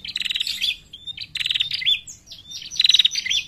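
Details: Female bar-winged prinia lure call, made of high, fast, buzzy trills broken into short irregular bursts, with brief thin whistled notes between them.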